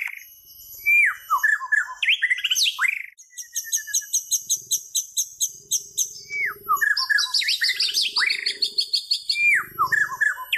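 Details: Long varied song of a white-rumped shama: fluting downward-sweeping whistles alternate with fast, high trilled rattles and stuttering series, with faint low hum in the background.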